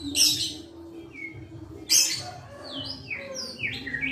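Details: Captive young white-rumped shama, hand-raised from a chick, sings sweetly. Two harsh, noisy bursts are followed by a run of quick, clear whistled notes that slide up and down, over a constant low hum.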